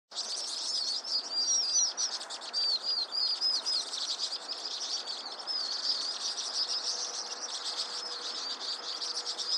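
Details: Vinous-throated parrotbill calling: rapid high, thin, slightly wavering chips repeated about four times a second, steady chatter over a faint background hiss.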